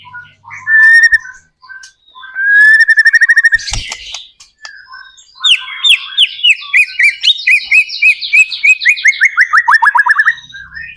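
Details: White-rumped shama song played to draw other shamas into singing, with whistled phrases, a rapid ticking series, then a long run of quick descending notes repeated about three times a second.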